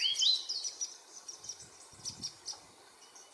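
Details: Varied sittella at the Capertee Valley, Australia, during nesting from eggs to fledglings; one loud high rising-then-falling note opens, followed by spaced, thin, very high chips in a quiet setting.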